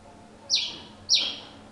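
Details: Two piercing, buzzy chip notes from a pileated finch, each a sharp high downward sweep, spaced about half a second apart, with a third note just beginning at the end.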